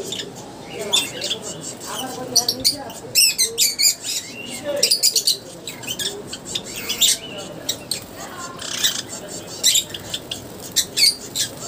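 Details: Java sparrows kept in an aviary while bathing: a busy series of short, high chirps and clipped notes, with bursts of splashing and wing flutters throughout and faint low murmuring in the background.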